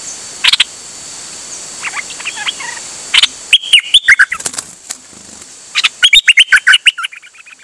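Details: Bird singing, recorded 8 September 2023. Sharp chirps and bursts of rapid, jumbled twittering notes are interspersed with quieter soft notes, over a faint high hiss.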